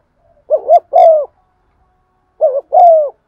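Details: Spotted dove decoy cooing methodically to stimulate other doves, 'giọng son' style: two phrases, each a wavering double-humped note and a longer, smoothly dropping hollow coo, with silence between.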